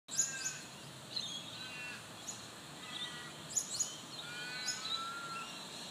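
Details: New Holland honeyeaters in Banksia at Murdoch University, Perth, Western Australia, give sharp, high chips and quick squeaky bursts about once a second, with thin whistled notes between and a steady background hiss.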